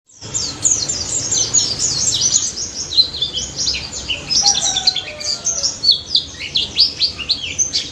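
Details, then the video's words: White-eye in lively, loud song: rapid high chattering twitters and thin slurred whistles pouring out almost continuously, with a few lower drawn-out whistles near the middle. "BURUNG PLECI DAPUT GACOR NGALAS NEMBAK"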